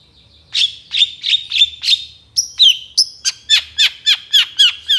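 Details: Vigorous long-tailed shrike (cendet) song full of fill-ins and rapid bursts, used to train songbirds: sharp down-slurred chirps repeated about four per second, broken midway by thin high whistles.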